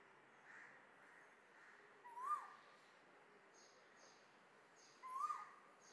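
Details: Asian koel in India: two clear rising, upslurred whistled notes about three seconds apart, each short and strong against a quiet background of soft hiss.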